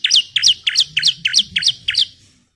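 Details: Female Bar-winged Prinia calling the male, used as a lure to make other birds sing: seven sharp, bright chirps in a quick regular series, each note dropping steeply in pitch, fading out at the end.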